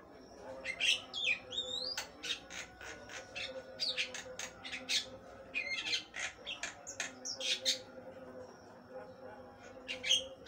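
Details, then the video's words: Javan myna, called jalak kebo, singing in full, active voice: a fast, varied run of sharp clicks, chattery bursts and twisting whistles, repeated in dense pulses. A steady low hum runs underneath. "jalak kebo gacor, suara mewah gk ada duanya"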